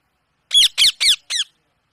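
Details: Indian parrot making natural vocal sounds, probably indoors: four loud, harsh, ringing squawks in quick succession, each sliding downward, the last one shorter and softer, followed by silence.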